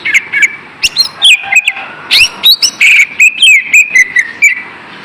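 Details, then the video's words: Green leafbird lure song, played to prompt lazy kept birds to sing again: loud, varied whistled phrases with sharp up-and-down sweeps and rapid chirps in quick succession, a faint hiss behind. "SUARA PANCINGAN BURUNG CUCA IJO AGAR TIDAK MALAS"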